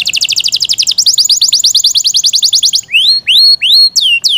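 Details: Pet Yorkshire canary singing loudly: a fast run of high, evenly repeated descending notes, then a few slower rising whistled slurs and a drawn-out downward sweep.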